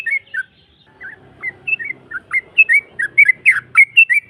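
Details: Yellow-vented bulbul on a lure track meant to draw a rival's reply: spaced, slurred whistled notes that gradually quicken, over a faint low hum.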